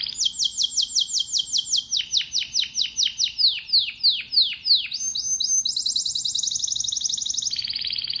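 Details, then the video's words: A domestic canary (Serinus canaria domestica) sings fast rolling tours of high, sweeping notes, shifting from slurred descending chirps to buzzy and liquid trills over a faint low hum. "Canary Singing birds sounds at its best | Melodies Canary Bird song"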